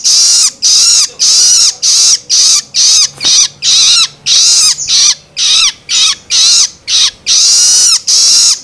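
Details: Long-tailed shrike nestling begging, meant to stimulate adults: a steady run of harsh, hissing screeches with downward-curving ends, about two per second, varying slightly in length.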